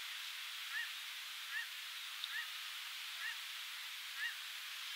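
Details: Black Oystercatcher on the Oregon coast in June 2018, at a nest while foraging and exchanging nesting duties, gives five short, faint, arched whistled notes, about one a second, over a steady hiss of wind or surf.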